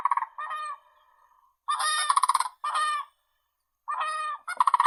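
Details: Crane giving loud, rolling trumpeted calls with strong harmonics, in short bursts of about a second separated by brief silences, one note trailing into a longer drawn-out tone.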